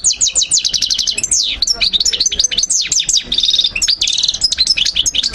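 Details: Goldfinch song meant for teaching young birds: rapid series of repeated high twittering notes, sweeping downward whistles and short tinkling runs, continuous and energetic throughout, with a brief buzzy trill toward the end.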